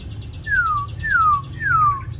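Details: Caged hwamei, Hanoi, Vietnam: three clear, pure whistles, each sliding smoothly downward, spaced about half a second apart, with a faint buzzy undertone.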